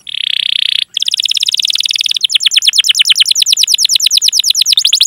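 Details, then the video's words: Canary in a training recording of long, continuous 'cuit cuit' chirping and rolling 'ngerol' song, used to lure young, untrained or silent canaries into singing. A sustained high buzzy tone breaks off, then rapid repeated sweeping chirps build into a fast rolling trill. "Masteran Suara Burung Kenari Gacor Panjang cuit cuit Ngerol untuk Pancingan Kenari!"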